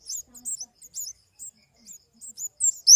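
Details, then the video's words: Flowerpecker uttering scattered, thin, high chirps, irregularly spaced, ending with a louder, sharp double note. "Suara burung kemade"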